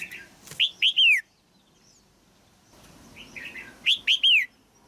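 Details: Caged female red-whiskered bulbul singing to excite an adult male: two phrases of soft lead-in notes followed by three loud, ringing whistles that slur downward, separated by a quiet gap.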